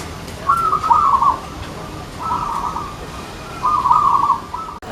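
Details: Zebra dove contest song, three soft, rolling, bubbly coos about a second long each, spaced roughly every one and a half seconds; tighter intervals between phrases score more points in competition; faint background hiss.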